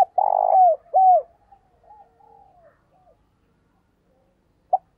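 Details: Decoy spotted dove cooing to attract wild doves: the tail of a phrase, a rolling purr then a falling coo, followed by faint soft notes and a single short note near the end.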